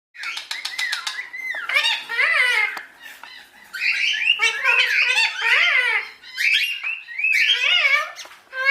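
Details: A pet Indian ringneck parrot (rose-ringed parakeet) playing on its cage talks in high, nasal, word-like phrases, in four or five short bursts, with a few sharp clicks at the start.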